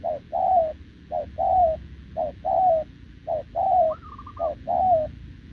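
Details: Spotted dove caught wild, cooing continuously with a decoy bird on 6 November 2024: rhythmic pairs of a short note and a longer downslurred coo, five sets, with a higher tremulous phrase near the end.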